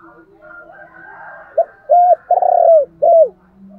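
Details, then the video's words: Urging call of a decoy spotted dove meant to stimulate wild doves: quiet murmuring coos, then a clear four-part phrase with a short note, a mellow coo, a long quavering coo and an arched final note. "chim cu mồi kích bổi, tiếng thúc gáy gọi kích thích bổi rất xiêng gáy theo"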